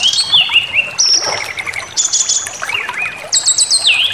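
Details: Brown-chested jungle flycatcher provocation song, intended to anger listening birds into full song. Sliding clear whistles and held high tones are broken by short rattly bursts, ending in a fast descending stepped phrase.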